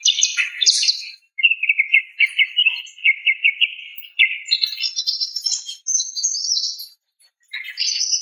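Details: Calling female greater green leafbird luring a male: a scratchy opening, then a long run of rapid repeated chips, shifting into higher warbled whistles and a final buzzy burst.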